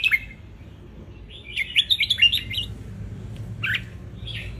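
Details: Wild-type red-whiskered bulbul from Ratchaburi, Thailand, sunning itself and singing as a tutor for young birds: a short whistled phrase, then a quick run of bright warbled notes, with later brief chirps over low background hum.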